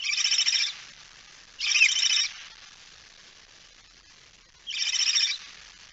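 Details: Barn owl holding a mouse, 17 September 2019, 01:49 at night: three harsh, airy hisses, each lasting roughly half a second, separated by pauses of a second or more, against a quiet background.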